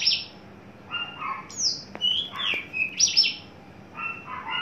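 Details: Adult male Javan bush lark, tame in a cage and coming into breeding condition, giving spaced high slurred whistles and short lower doubled notes, with a couple of faint clicks.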